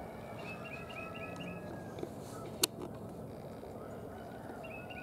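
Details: Male and female red-bellied woodpecker pair on March 13, 2023, the female newly arrived. A rapid string of short chirping notes opens, a sharp click sounds midway, and a few more chirps come at the end, all over steady low rumble.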